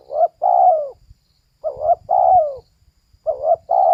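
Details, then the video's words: A female spotted dove coos steadily, giving about three phrases in four seconds. Each is a clipped double note and a long falling coo, with faint low knocks in the background. "เสียงนกเขาใหญ่/Suara Burung Tekukur"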